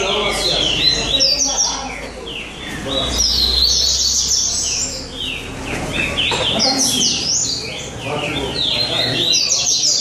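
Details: Coleiro songbirds competing in a São Vicente singing contest, several birds overlapping in fast bursts of sharp, down-slurred whistles and twitters, with faint talking in the background.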